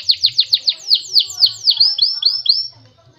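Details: Canary song opening with loud downslurred whistles spaced a quarter second apart. These shift into quicker rising upslurs and then fade out, with soft low knocking sounds in the background.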